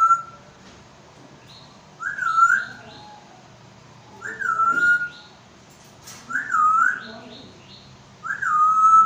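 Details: African grey parrot in Pakistan, a talking pet bird: four clear whistled phrases about every two seconds. Each phrase slides up then levels off, with softer overtones above and a faint murmur of voices between phrases.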